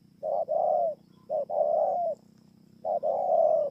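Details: Song of a spotted dove in Kon Tum, Vietnam, late November 2017: two coo phrases, each a brief note then a longer mellow one that trails downward, separated by a pause, with low steady hum beneath.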